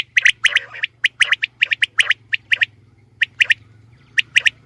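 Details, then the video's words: Female quail calls used to attract birds for hunting: quick paired and triple clipped notes tumbling in fast irregular bursts, thinning out toward the end over a soft low drone. "Batair Ki saf Awaz | Saaf Awazay Batair Ki shikar ki liye| Batair Ki Awaz| FEMALE QUAIL SOUNDS 2020"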